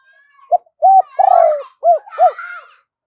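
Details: Decoy spotted dove's luring call with two endings, called giọng đôi: a short coo, a flat coo, a long buzzy descending coo and two rounded coos, overlaid by thin, higher squeaky chirps.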